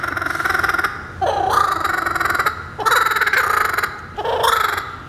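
A kookaburra gives raucous, rapid chuckling bursts that rise into a loud cackle, in three bouts over about five seconds. No other sounds stand out.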